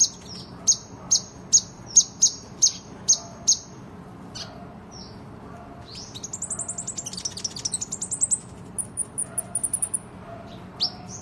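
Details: Kolibri ninja (Van Hasselt's sunbird) in lively competition song for tutoring: a quick run of shrill high chips, a pause, then an arching twittered rattle and high trilled phrases.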